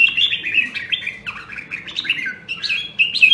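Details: Caged red-whiskered bulbul from Nam Đông, Huế, in voice training, giving a continuous run of mellow, gurgling whistled phrases that rise and fall, ending in sharper bright notes.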